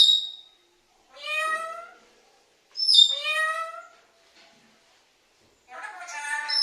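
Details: Parrot calling for mom: three bright, nasal harmonic calls, each under a second, with sharp high whistle-like starts, separated by silent gaps.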